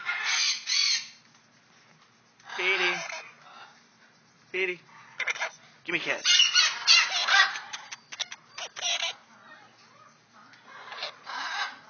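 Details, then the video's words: Male white-eyed conure at an exotic bird rescue mimics speech in rough, raspy phrases, saying "hey, gimme a kiss" and giving kiss sounds, while a person repeatedly coaxes it to talk. "Petey says Gimme a Kiss"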